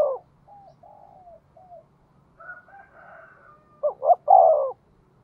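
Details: Spotted dove of the 'giọng thổ' voice style, calling as a lure to stir wild birds. Soft low warbling first, then a loud coo of two short rising notes and a drawn-out falling note at the end.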